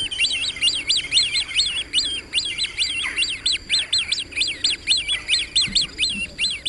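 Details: Swimming great crested grebe producing continuous piping calls, each a high whistle that climbs and falls, strung together at a fast, slightly irregular pace of more than two per second.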